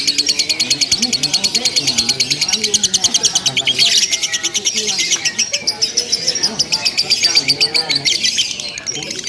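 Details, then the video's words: Lovebird in a simulated contest chattering long and without a break: dense, piercing high chirps in a fast stream, with a harsh burst midway and faint lower noises underneath. "LOVE BIRD TERBARU 2025 NGEKEK TANPA JEDA DURASI PANJANG"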